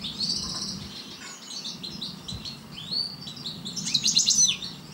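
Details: Parva goldfinch song, softer and more distant, rambling twittering and slurred whistles over a low background hum, ending with a brighter burst of quick chirps.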